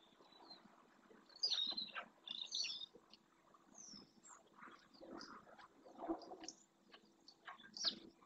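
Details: A whinchat feeding on a dry lagoon bed in the Doñana marsh, Spain, possibly on passage or wintering. It gives short, high, chirpy call notes in scattered bursts over low marsh sounds and faint chatter from other birds.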